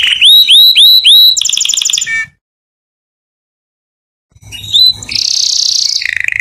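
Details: Canary song meant for teaching young canary chicks to sing: three bright upslurred whistles repeated quickly, a fast high trill and a buzzy roll, a pause of about two seconds, then a rising note and a dense high rattle ending lower.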